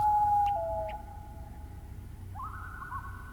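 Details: Common Loon's eerie wail echoing over a marsh on a misty morning in boreal taiga lakeland: a long, pure, mournful note breaking upward into a higher, wavering tone, with faint low background rumble.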